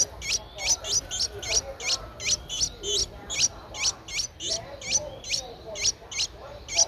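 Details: A 10-day-old Streak-eared Bulbul nestling, Ubon Ratchathani, Thailand, 12 April 2023, gives a steady series of high, sharp rising chirps, about three per second, clear and evenly spaced against a quiet background.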